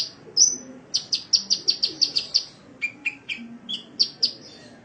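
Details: Sunbird training song for cage birds: a short upslurred whistle, then a rapid run of about ten sharp high chips, followed by lower buzzy notes and more scattered chirps.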